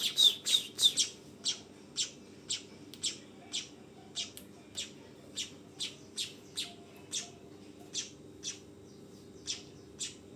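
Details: Young weaver, a fledgling, giving short, sharp, high chirps about twice a second, loudest and fastest in the opening second, over a steady low hum.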